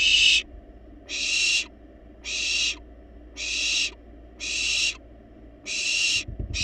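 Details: Well-fed wild barn owl chicks in their nest box keep demanding food with drawn-out, noisy hissing snores, spaced a little more than a second apart, against a quiet background.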